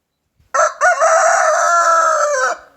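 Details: Morning crow of a rooster, a brief first syllable followed by a long, steady, loud drawn-out note lasting about two seconds that tails off at the end, with no other sounds.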